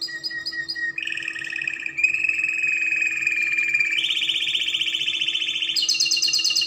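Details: Spanish Timbrado canary singing for young canaries to learn from: a few repeated chirps, then long level trills that step upward in pitch three times, each held for over a second, with faint hum behind.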